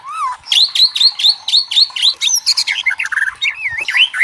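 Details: A White-rumped shama pours out a loud, rich song, used as a provoking lure for other magpie-robins: a fast run of repeated rising whistles, then varied warbled phrases and sharp chattering notes.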